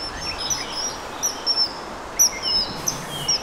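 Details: A male common kingfisher raising the alarm with shrill, thin, very high whistled notes, short and repeated about once a second, over a steady hiss of running water.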